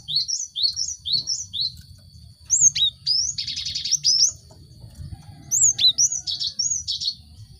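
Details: Cinereous tit song played as a lure to get caged birds singing: high whistled notes repeated in quick sets of four, a brief buzzy rattle midway, then more sharp slurred chirps after a short pause.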